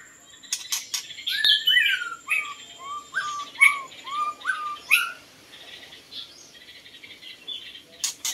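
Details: White-rumped shama, with a song used for luring birds: a run of short, clear, downslurred whistles repeated about every half second, mixed with sharp clicks and taps, then quiet.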